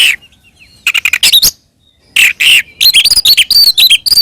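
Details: Oriental magpie-robin in full fighting song meant to rile other magpie-robins: rapid loud chips and harsh squeaky notes in dense bursts, separated by a brief silence.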